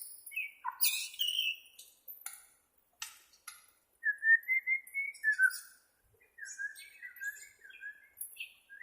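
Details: Bornean white-rumped shama for training captive birds: sharp clicking and harsh notes open into long clear whistles that glide upward, then a quick run of short falling whistled notes.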